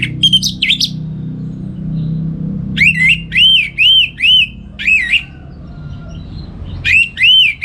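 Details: Orange-headed thrush, a kept songbird in northern Bali, singing in the morning as a training model for other birds: loud whistled, arching phrases in separate bursts with short pauses, over a low background hum.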